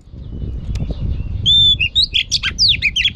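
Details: Female oriental magpie-robin voice meant to excite males: a long thin whistle followed by jumbled, varied chirps and twittering phrases over a steady low rumbling background noise.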